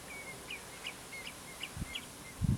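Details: A Common redshank at Prunjepolder, Zeeland, on 15 June 2010 gives faint, high whistled notes about every third of a second, with low rumbling background noise and a couple of dull thumps.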